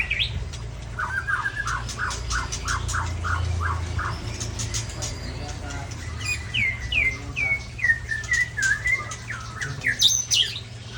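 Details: Big-bodied white-rumped shama from Ujong Pancu, Aceh, sings a series of repeated rich whistled notes, then a faster sequence of upslurred phrases, over a low steady hum.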